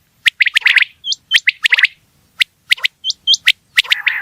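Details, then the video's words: Quail uttering sharp clicky notes in short runs, mixed with several high, pure whistled notes. A buzzy rasp comes at the close. "Batair Ki Awaz | Digitally Re-Mastared | Bildirçin səsi | बटेर की आवाज़ | Quail"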